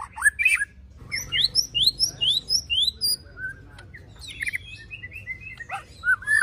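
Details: White-rumped shama ('pastol fighter' murai batu) song with crisp rising whistles repeated about four per second, then looser warbled and twittering notes over faint low background noise.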